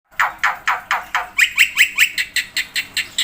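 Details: Black-winged myna (jalak putih) in lively 'gacor' song full of 'isian' filler phrases, used as a master and lure recording for birds: harsh, buzzy notes repeated about two and a half times per second, some with short whistled upward hooks.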